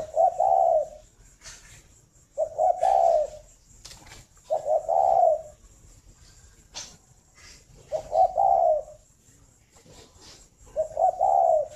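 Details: Caged breeding spotted dove at a dove farm near Ba Vì, Hanoi, Vietnam, cooing in the morning. Five repeated mellow phrases, each a short lead note followed by a rounded, drawn-out coo, with light clicks and taps between them.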